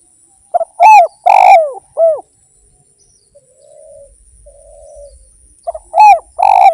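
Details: Energetic spotted dove song for luring: stutter, deep rough coo and falling note, then soft low purrs in the pause before the phrase starts again.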